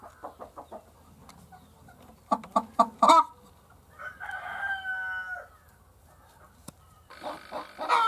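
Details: Egg-laying hen makes quick bursts of sharp clucks, then a prolonged, nasal, wavering call lasting about a second and a half, and resumes with loud rapid clucking at the end.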